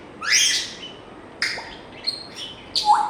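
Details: African grey parrot making a mix of sounds: a harsh noisy squawk, then sharp clicks and short chirps, ending with a brief low whistled note.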